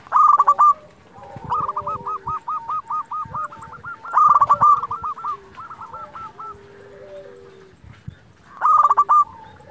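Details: Zebra dove song meant to agitate rival doves into answering: loud clipped trills recur roughly every four seconds, joined by long evenly spaced series of hooked coos and lower drawn-out notes from other doves.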